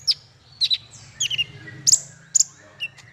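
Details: Male kolibri ninja giving a sparse tutor song: high, sharp down-slurred chirps spaced about half a second apart, faint low hum in the background.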